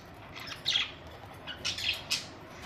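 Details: Several pet budgerigars at home on May 24, 2023, giving soft, scratchy high chirps in small bursts, spaced irregularly against a quiet room background.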